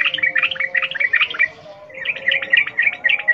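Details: Sooty-headed bulbul delivering wild-type 'ngalas ropel' song to prompt caged birds: two dense, fast bursts of overlapping bright chirps with a brief dip between, above a steady low background drone.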